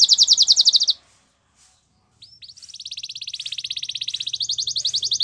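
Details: Rapid, high rattling trill from a Belgian canary, a short pause, then a long accelerating run of even pulsed notes over faint low background hum.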